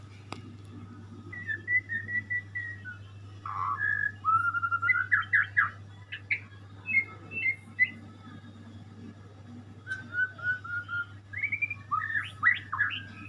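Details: White-rumped shama, a pet bird, singing a long varied sequence of clear whistles, slurred notes and fast chattering trills in short bursts, over a constant low electrical hum.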